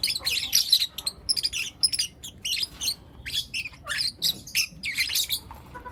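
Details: Four young lutino lovebirds chattering in the morning, a steady stream of sharp, high-pitched chirps and squeaks in quick irregular bursts, with tiny gaps and no other sounds.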